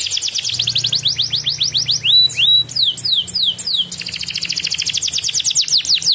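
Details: Canary in lively 'ngedur' song, played as a lure to get lazy canaries singing again: fast, high, bright runs of rising whistled notes, about three per second, with brief buzzy phrases in the middle, over a faint low hum.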